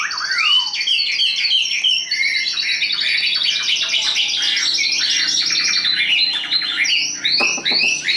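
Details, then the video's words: Hand-tamed caged Chinese hwamei, a strong high singer kept for fighting contests, delivering loud rising and falling whistles, then fast trilled and chattering runs of repeated notes. "Họa mi số 1129 Chim thuần sách tay hót cao cầu đấu tốt"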